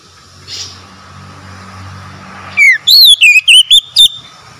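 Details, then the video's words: Oriental magpie-robin singing for a stressed, silent bird: after a low rumble of passing traffic, a falling whistle leads into six sharp, looping whistled notes at a quick, steady pace. "TERAPI TERAMPUH PEMULIH KACER SETRES BISU MACET BUNYI LANGSUNG GACOR"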